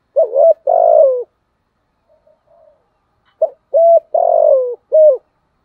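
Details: Decoy spotted dove, thổ voice style, cooing twice: a wavering note and a long throaty falling coo, then after a pause short clipped notes and another falling coo and a final short one. Faint soft sounds in the gap.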